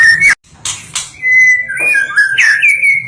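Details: National champion white-rumped shama (stone magpie, kucica hutan) in full song: sharp clipped notes, a short pause, then long clear whistles that slide up and down in a flowing, varied phrase.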